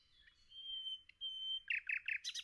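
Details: Nightingale in a forest holding long, pure, steady whistled notes, broken by a brief gap. These give way to a quick run of loud, harsh, repeated notes that grow denser at the end.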